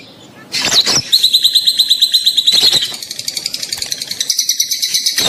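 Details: Rosy-faced and Fischer's lovebirds, mating sound to spur the female to breed. After a quiet start, a long rapid pulsing trill of high chips begins, holds steadily, then continues as a fast buzzy chatter.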